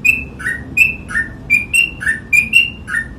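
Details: Sooty-headed bulbul delivering rapid paired whistles, a high sustained note answered by a lower falling note, about eight phrases in three seconds, loud and close with only soft background hum.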